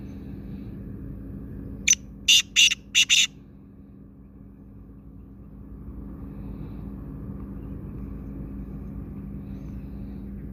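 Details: Black francolin utters a single rapid phrase of five loud rasping notes near the start, followed by a long quiet stretch of low background hum.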